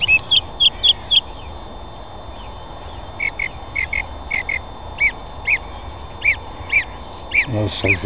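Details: Song thrush during a bird-ringing session, giving clear, high notes repeated three or four times, then in pairs and singles about every half second, over steady rushing background noise.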